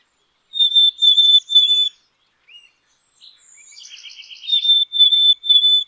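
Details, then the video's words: Black-capped chickadee with three clear, level whistled notes, a brief silence, then a run of buzzy notes followed by three more evenly spaced whistles. No other sound stands out. "Black capped Chickadee Song ! Black capped Chickadee Sound ! Black capped Chickadee Call !"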